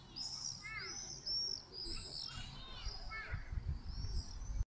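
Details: Swifts calling "Irr! Irr!" over an old town at 8pm on a July 2017 summer evening; a run of shrill, sweeping screams from several birds, some descending, against steady low town noise.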